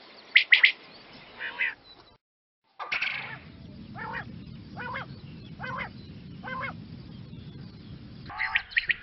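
A quail gives harsh, buzzy bursts, a brief pause, then a steady series of short nasal notes about once a second over a low hum.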